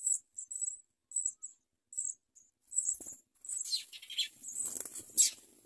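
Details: Young house sparrows begging during feeding by the mother: high chirps in quick bursts, then a louder, dense, excited chorus of shrill calls with a soft fluttering rustle underneath.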